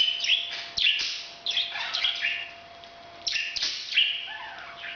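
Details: Breeding sound from a parrot: clusters of sharp, squeaky chirps and raspy notes, a quieter lull in the middle, then another loud outburst.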